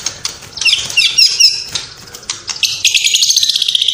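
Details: White-rumped shama in full song, filled with copied calls of sparrow, lovebird and kapas tembak. High, rapid chattering notes and twittering bursts, rising into a dense shrill warble toward the end.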